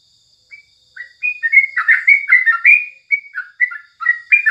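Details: Morning sooty-headed bulbul song for training songbirds: short whistled opening notes build into a lively string of bubbly, chattering phrases that ends in spaced, warbled notes.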